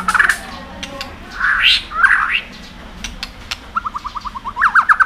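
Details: Song of a white-rumped shama meant to excite other birds to sing. Lower slurred whistles and a rough rising phrase give way to a quick rhythmic series of short clipped notes, with hiss throughout.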